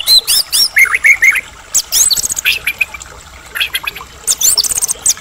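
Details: Medan white-rumped shama singing an energetic provoking song: quick hooked whistles and chattering notes in dense bursts, a short pause, then more sharp high chips.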